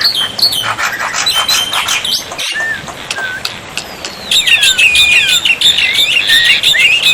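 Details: Black-winged myna tutor song for making quiet birds answer, with water therapy: scattered chirps and brief slurred whistles, then a lively burst of rapid, looping high whistled notes.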